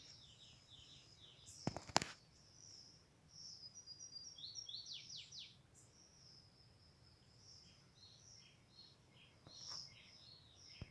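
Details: Flavescent warbler singing; high, thin rapid chirps and descending slurred notes in quick bursts, with a loud click near two seconds and a constant insect hiss and low rumble underneath.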